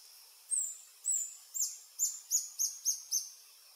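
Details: Adult male Reddish Hermit (Phaethornis ruber ruber) singing on a lek along Sentier des Americains, French Guiana, 1 March 2024 at 15:03, filmed with a Panasonic FZ300. Very high, thin notes: two drawn-out slurred notes, then six quick arched chips in fast succession.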